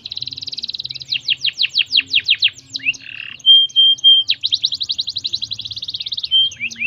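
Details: A singing canary, played to stimulate other canaries, delivers a rapid high trill, then loud descending swept notes, a brief harsh buzz and a pure held whistle, before resuming quick rolling trills, with a faint low hum underneath.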